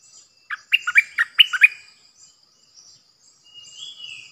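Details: Nok dok taeng, a bulbul used as a decoy, recorded 8 May 2021. It gives a fast phrase of bright, liquid chirps, pauses with faint twitters, then ends on a drawn-out rising-falling whistle. A steady high whine continues.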